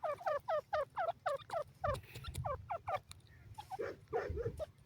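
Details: Grey francolin giving a steady series of strident, falling notes, roughly four per second, fading into scattered quieter notes and low rumbling noise in the last seconds.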